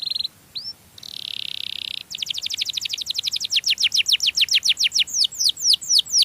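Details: Canary song used to lure other canaries: a few clipped notes and a rising whistle, a thin buzzy trill, then a long accelerating run of bright down-sweeping notes.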